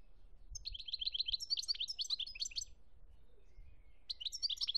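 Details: European goldfinch singing in Algeria, 2017: a fast series of repeated chattering trills and liquid twitters, paused briefly, then resuming with another bright, tinkling burst.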